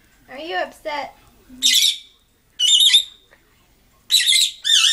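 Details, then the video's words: Upset pet lovebird indoors, seriously angry at some object, giving harsh, noisy, high squawks in three bursts of about half a second each, after a person's brief speech at the start. "Very Upset Lovebird"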